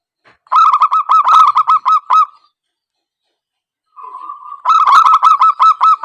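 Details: Lure call of a zebra dove for trapping: a long run of rapid even staccato coos, over a second of silence, then a drawn-out note leading into another fast rolling series.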